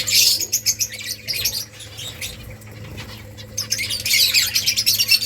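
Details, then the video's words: Finches in a nesting colony chirp in bursts of high, rapid twittering, quieter for a stretch mid-way before many birds chatter together again; soft fluttering and a low steady hum behind. "Finches making nest Finches chirping sounds beautiful finches colony"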